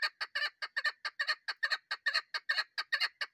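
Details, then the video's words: Female chukar partridge, its call used by hunters to lure birds: loud, harsh, rhythmic chuck notes, often doubled, repeated steadily more than twice a second throughout. "shikar ki bahrareen madi awaz keklik sesi chakor birds voice awaz sound bast female shikari"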